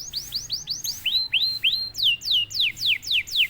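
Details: A canary, quiet until prompted, singing clear looping whistles: falling slurs, then three rising upslurs, then a run of steep descending whistled notes roughly every quarter second.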